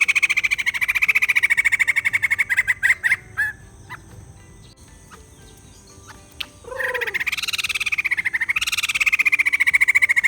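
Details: A white-crested laughingthrush gives a long, fast, rattling chatter, pauses for about three seconds with only faint clicks, then resumes with a rising, wavering burst and steady rapid pulsed notes.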